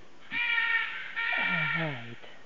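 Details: A Red-and-green (Green-winged) macaw in the Yasuni gives two long, harsh, raspy squawks in quick succession, each near a second long, loud and grating.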